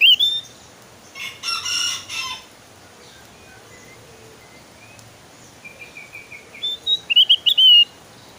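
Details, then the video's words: Javan grey-throated white-eye: a harsh, scratchy burst early on, a long quiet stretch with faint thin notes, then rising whistled phrases that end in loud, clear slurred whistles. "SUARA BURUNG OPIOR JAWA GACOR"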